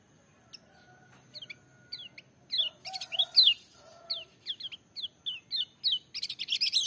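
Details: Lemon-bellied white-eye singing loudly in full voice, a tutor recording meant to prompt lazy birds to sing: quick series of short, high, sharply rising and falling chirps, bursts growing denser toward the end, with a faint steady hum behind.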